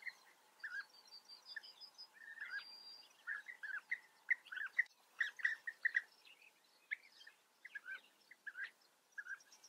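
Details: In Germany's Eifel region, European bee-eaters call continuously: dense series of short, rolling mid-pitched notes, some doubled, with occasional higher whistles and a thin sustained tone early on.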